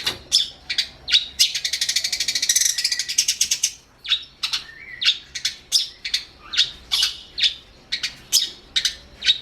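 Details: Long-tailed shrike singing, used as training audio for songbirds: a fast buzzy rattle of evenly spaced high notes for about two seconds, then a string of separate harsh chips and one short whistled slur.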